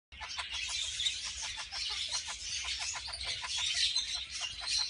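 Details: Captive pair of red-fronted parakeets mating, giving a dense, rapid chatter of sharp, high clicking notes, many per second, running steadily throughout with no other clear sounds.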